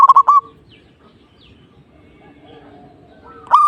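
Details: Zebra dove singing to provoke a rival: a brief, loud, stuttered coo phrase at the start, a long hush with faint soft whistles and chirps, then another phrase just starting.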